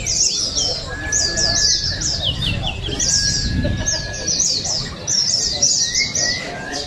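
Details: Competing oriental white-eyes at the 2023 Balingian open singing contest in Sarawak pour out fast, high, tumbling twittered phrases in bursts, with a steady whistled tone and chattering people beneath.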